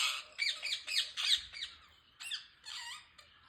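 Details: Rose-ringed parakeet, described as an Indian green ringneck parrot, giving a series of harsh, screeching squawks in rapid bursts with falling, chevron-shaped notes, then a short pause and a few more shrieks.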